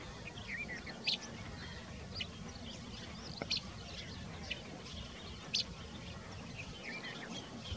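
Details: Black-headed Bunting, a winter migrant at Bokar in Kanha National Park, Madhya Pradesh, India, in February 2023; short sharp high chips spaced roughly a second apart over a steady low rumbling background.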